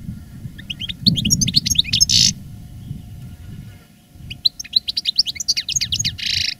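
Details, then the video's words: Caged veteran European goldfinch, in strong song after the moult, pouring out rapid twittering chirps and a dense buzzy trill, a pause, then more fast tinkling notes ending in another buzzy burst. "Canto del jilguero "el arrugao""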